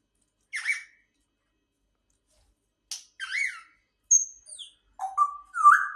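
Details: Pet grey parrot indoors: short raspy squawks, then clear whistled notes, some falling and some steady, with a final rising whistle, separated by silent gaps.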